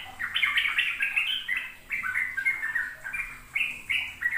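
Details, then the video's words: Sooty-headed bulbul in ropel song, a model for young bulbuls learning to sing: rapid, slightly harsh warbled notes running on without a break, some sliding downward, over a faint background hum. "Pancingan trucuk agar trucukan BAHAN PAUD ikut belajar ropel"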